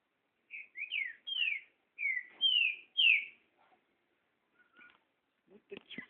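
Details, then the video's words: Espantalho song of a green-winged saltator (trinca-ferro): a rapid run of six sharp whistled notes, mostly falling in pitch. It is followed by faint scattered clicks and short knocking sounds near the end. "TRINCA FERRO ESPANTALHO"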